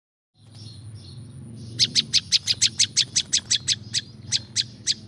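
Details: Olive-backed Tailorbird, wild-sounding recording for attracting wild birds: quiet start with faint soft notes, then a sudden burst of loud, sharp, evenly spaced high chips running to the end.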